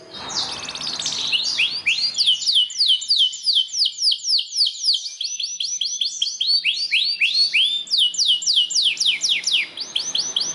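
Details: Song of a Belgian canary, played to encourage canaries to sing, made of long runs of quick downward-slurred whistles repeated several per second, with brief pauses and changes in pace.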